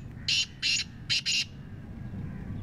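A black francolin gives a quick run of four harsh, grating notes over a low background rumble.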